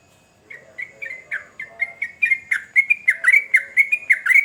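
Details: Sooty-headed bulbul song that opens with soft, spaced whistled notes and quickens into a dense, loud series of rolling, liquid chirps.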